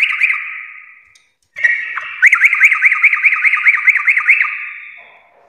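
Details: Trucuk, or Sooty-headed bulbul, giving full "garuda" song: a fading opening phrase, brief silence, then a long run of about a dozen loud, evenly spaced looping notes, roughly three per second.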